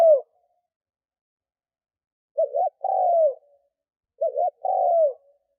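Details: Spotted dove decoy cooing to lure wild doves: a brief fragment, then two phrases. Each phrase is a quick wavering double note followed by a long, smooth, slightly falling coo. Clean silence separates them, with no other sounds.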